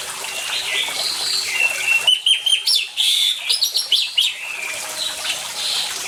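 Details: Orange-headed thrush, lively singer, heard against water sounds intended to prompt silent birds to sing; a rapid two-second run of varied sharp chirps and whistles, preceded and followed by softer distant warbling and constant flowing water.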